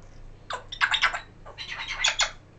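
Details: A talkative 1-year-7-month-old male African grey parrot, picking up words and phrases, gives two bursts of harsh, broadband squawks and chattering notes, each about a second long, with brief pauses between.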